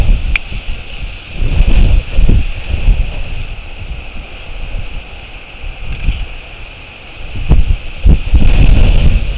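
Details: Heavy wind buffeting and low rumbling noise dominate, with no clear animal calls.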